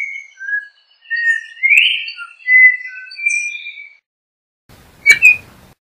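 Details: Yellow-backed Oriole (Icterus chrysater) song: a flowing phrase of mellow whistles, including a prominent rising slur and level held notes. A pause follows, then a single sharp click near the end.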